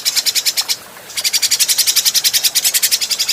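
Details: Adult grey-cheeked bulbul recorded as training material for other cage birds. A harsh, quick chatter of evenly spaced buzzy pulses, a short break, then a longer unbroken rattle.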